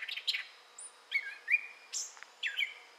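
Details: Gray catbird song recorded in southwest Michigan, May 2011: a few scratchy chips, then thin whistles held level and a high downward squeal, in separate short phrases.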